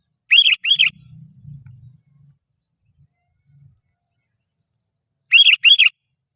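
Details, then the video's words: Two loud, slurred chirping notes of a sooty-headed bulbul, used as a lure for wild bulbuls, repeat as a second pair after several seconds; a faint low rumble and a steady high hiss fill the gap. "Suara asli pikat kutilang Ziggo 100% ampuh memanggil raja nya kutilang liar"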